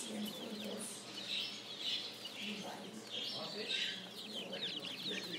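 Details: Several spring chicks giving high, quick peeping calls in irregular bursts, with faint talking and low clucks in the background.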